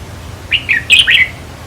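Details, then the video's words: Song of a red-whiskered bulbul used to excite caged birds: one lively phrase of four liquid whistled notes, slurred up and down, over a soft low hum. "ต่อเพนียดนกกรงหัวจุกแก้มแดง เปิดให้นกฟัง ยั่วให้นกคึก"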